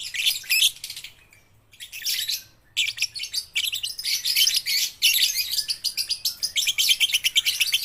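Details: Baby and under-five-month lovebirds chattering in loud, shrill, fast pulsed chirps, a brief silence, then long continuous scratchy twittering that grows more evenly rhythmic towards the close.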